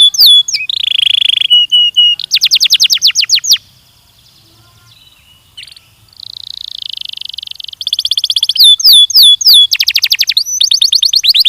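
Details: Song of a Belgian canary, training recording: a buzzy held note and rapid rolls, a brief near-silent pause, then a long buzz, chattering trills and quick falling whistles.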